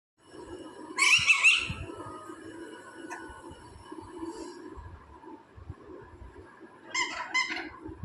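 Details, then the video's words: A talking parrot gives two short bursts of harsh, scratchy squawking, about six seconds apart, over a low indoor hum. "Taking parrot sound"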